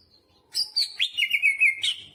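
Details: Greater green leafbird giving a short whistled phrase that slides downward into a wavering, sustained note.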